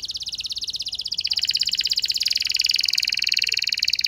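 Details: Canary lure song for a less eager bird: a continuous very rapid, buzzy high trill, steady and slightly rising in intensity throughout.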